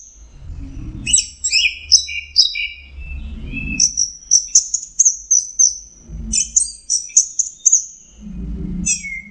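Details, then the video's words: Orange-headed thrush singing a varied song of high, sharp whistled notes and quick chirpy trills in bursts, with short pauses between phrases; a low rumbling background noise rises between the bursts. "Burung anis merah jenis burung kicau mahal dan suaranya merdu"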